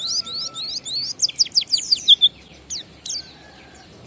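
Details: Oriental white-eye in ngalas song used to lure other kept white-eyes into singing: a burst of quick high chirps, then a run of descending whistled notes, trailing off into scattered single chirps.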